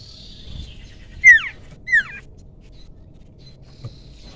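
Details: Two bright, downward-sliding whistled notes about half a second apart from a young wild common iora used to lure other birds, over faint background hiss.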